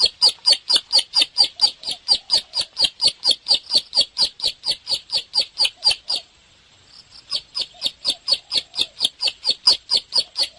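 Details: Bar-winged prinia singing energetically: fast, evenly spaced sharp high notes around four per second, broken by a brief silence near the middle before the same insistent chirping resumes.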